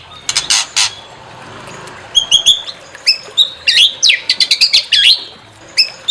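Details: White-rumped shama (murai batu) singing to provoke another bird into song: a burst of harsh rasps, then a fast, varied run of clear whistles, sharp upward and downward sweeps and chattering notes, high and rich, with brief pauses.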